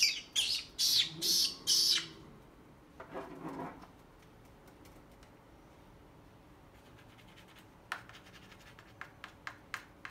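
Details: Pet green-cheeked conure indoors giving four loud, harsh, high squawks in rapid series, then a lower, rougher burst, a long quiet stretch, and a few sharp clicking peeps near the end.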